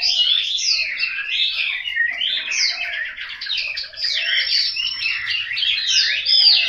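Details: Home-kept Chinese hwamei in Hanoi singing loud, looping whistled phrases with sharp upward sweeps and rich rapid trills.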